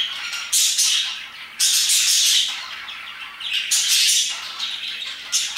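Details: Parakeets chirping around 2pm: bursts of harsh, high squawky chirps in loud clusters separated by brief quieter gaps, several birds calling together.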